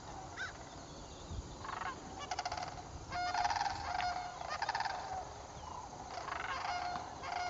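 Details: A troupe of sandhill cranes dancing together during fall migration southward, 7 October 2011; bursts of rattling, bugled calls from several birds, loudest in the middle, with lower background noise between.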